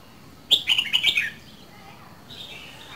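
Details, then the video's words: Caged Red-whiskered bulbul from Dak Lak singing a quick, bright, warbled phrase that opens with a sharp note and slides downward, followed by softer faint notes from further off. "CHÀO MÀO LÂN DAK LAK 2 MÙA SIÊU BỘNG"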